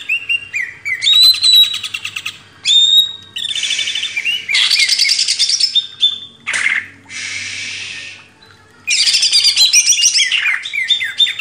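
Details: Greater green leafbird, a cage bird, singing in a master recording used to train other cage birds: loud, varied high phrases of rapid chattering trills, bright whistles and buzzy notes in bursts separated by brief pauses.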